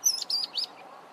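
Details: Mousebird calling in Zambia: three quick high chirpy notes in rapid succession, clear and bright, over a quiet background.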